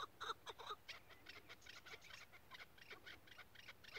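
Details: Chukar partridge, kept as a tethered decoy for hunting, giving rapid repeated clucking notes in a steady rhythmic series, with a few louder calls at the start and faint background noise.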